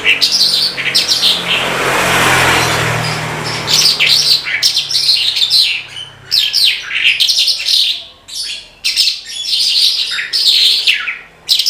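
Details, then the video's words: Branjangan, an Oriental skylark, in energetic song: rapid chattering and twittering high notes in quick bursts, with a low rumble like a passing vehicle early on. "BRANJANGAN GACOR TIADA LAWAN"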